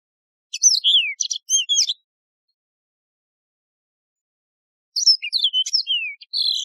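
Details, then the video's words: Singing yellow-fronted canary, a wild canary with a ringing voice: two bright phrases of rapid high chirps and downward-sliding whistles, separated by about three seconds of silence. "شريط تغريد البسبوس الموزمبيقي"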